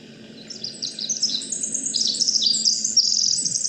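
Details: Pacific wren, a classic sound of the Pacific Northwest coastal rainforest, studied by territory mapping around salmon estuaries: a long, high, rapid tumbling song of tinkling trills and twittering notes, building in loudness.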